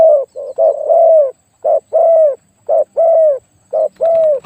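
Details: Spotted dove decoy with a big voice calls loudly and close. Each phrase is a short coo and then a long, slightly falling croo, given in pairs separated by brief pauses.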